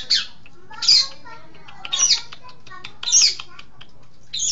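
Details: Long-tailed shrike training recording for songbirds: loud rasping, scratchy bursts roughly once a second, separated by soft ticking notes.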